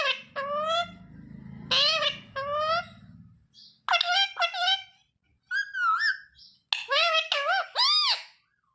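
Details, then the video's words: Rose-ringed parakeet mimicking words such as mummy, papa and mithu, with a run of clipped, nasal syllables and wavering phrases; a low rumbling hum underlies the first three seconds. "Ringneck parrot talking sound mummy, papa, mithu"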